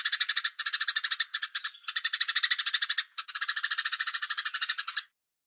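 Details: Velvet-fronted nuthatch giving the 'cigun gereja' song style with pauses, used as a master recording for training songbirds: fast rapid-fire harsh chattering notes, about eight per second, in bursts broken by brief gaps, then silence.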